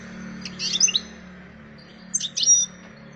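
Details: A European goldfinch seeking to mate gives two short bursts of bright, tinkling twitters and buzzy trills, high-pitched and rapid, over a faint low hum.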